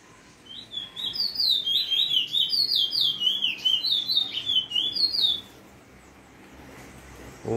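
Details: A bullfinch named Striker sings freely for about four seconds: a fast, high, twittering warble of repeated rolling notes ("rolls"), ending with a brief thump and faint speech.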